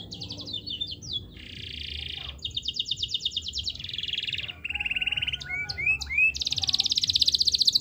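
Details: Canary song used to spur quiet canaries into singing: rapid trills of repeated notes, a buzzy rattling phrase, then swooping whistled slurs and a long fast trill, with faint low background hum.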